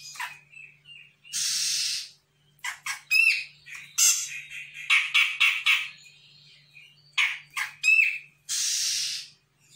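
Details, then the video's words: A Sumatran grey-cheeked bulbul in full song, used as a lure to draw an immediate response from untamed young birds. It gives loud, harsh chattering phrases mixed with short whistled notes, broken by rasping bursts over a faint hum. "CUCAK JENGGOT SUMATRA GACOR"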